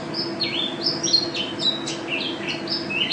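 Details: Champion Mountain white-eye (pleci) in 'gacor' voice with 'teler' and 'ropel' phrasing: rapid run of high, sweet descending whistles and chirps, barely pausing, over faint low humming.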